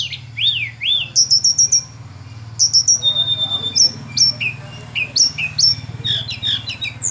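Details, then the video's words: Sunda robin singing a rapid series of high, sharply rising and falling whistled notes, repeated in quick rhythmic bursts, with a constant low mechanical hum underneath. "Tledekan Gunung"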